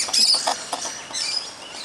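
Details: A short burst of shrill, thin screeches rises from musk lorikeets feeding in a tree on a Christmas morning, then fades to softer chatter.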